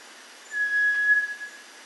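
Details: Cinereous tinamou singing a single sustained whistle, pure and unwavering in pitch, lasting under a second, with a quiet background.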